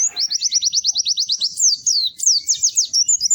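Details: Loud, merry white-eye song: a rapid, steady run of high downslurred chips, about five a second, followed by more varied zigzag twittering notes.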